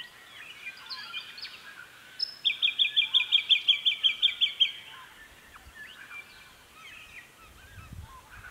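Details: Early September 2018 in the Capertee Valley, NSW: a Jacky winter (Microeca fascinans) sings mid-morning around 9am in spring on a replanted private property. A steady run of about a dozen crisp high notes lasts two seconds, with faint chirps from other birds around it.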